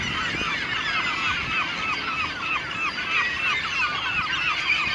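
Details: Caspian gull, a second-calendar-year bird, amid a calling gull gathering: quick series of nasal, arching notes repeated about three times a second, overlapping with many other gull voices in the background.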